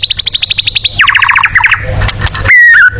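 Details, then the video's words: White-rumped shama singing a tembakan-style phrase for competition birds: a fast series of loud, regularly repeated high notes, then a quick descending rattle, ending in a sustained clear whistle. "TEMBAKAN MURAI BATU COCOK UNTUK BURUNG LOMBA"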